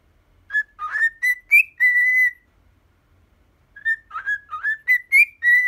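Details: Ten-year-old pet cockatiel whistles the melody 'Poppippo': a run of pure, bright notes stepping up and down, ending in a long sustained tone, then silence before a second burst of rapid rising and falling whistles.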